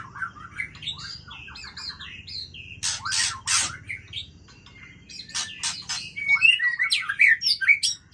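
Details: Aceh form of White-rumped shama performing at night: quick jumbled whistles, then loud broadband rattling notes, more varied whistled phrases and bright ringing high notes toward the close.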